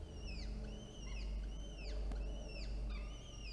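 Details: At Orange, New South Wales, Australia, on 9 October 2022, two peregrine falcon chicks, one older and one younger, beg as an adult feeds them: loud, arching whistled calls repeated about every half second over a low hum.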